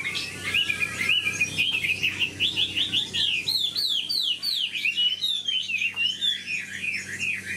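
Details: Old wild-caught Chinese hwamei giving a lively, unbroken song of rapid slurred whistles that climb and fall in quick succession, bright and high, with a steady faint hum underneath.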